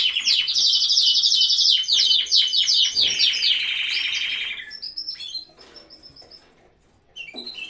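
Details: Canaries in a home aviary at the height of the breeding season: loud, rapid high trills and rolling chattering phrases for over four seconds, then quieter scattered notes and a brief soft restart near the end.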